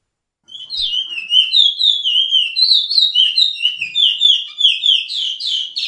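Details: Chestnut-bellied seed-finch singing its Suriname Pijé-Pijé training song: a continuous, fast stream of sweet, slurred whistles wavering up and down, with brighter rising notes near the end.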